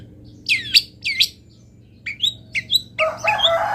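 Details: Cendet (long-tailed shrike) local master song: two drawn-out, looping whistled slurs, then a few short rising chirps, followed by a loud noisy burst of harsh chatter.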